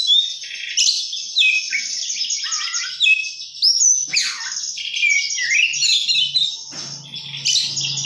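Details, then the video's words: Oriental magpie-robin pouring out an elaborate song, a busy, high tangle of sweet whistles, buzzy phrases and sharp upward and downward slides delivered almost without break; a low hum appears near the end. "kacer gacor isian mewah"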